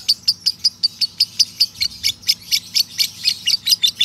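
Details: Long ngekek trill of a male lovebird, meant as a master recording for training birds: high, piercing chirps spaced evenly, about eighteen sharp notes across four seconds, slightly quickening toward the end.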